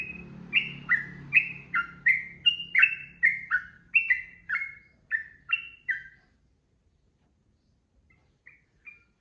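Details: Trucukan, the sooty-headed bulbul, delivering energetic ropel song: about a dozen quick, liquid whistled phrases with falling slurs over a low rumble. The bird stops after six seconds, and two soft notes follow after a near-silent pause.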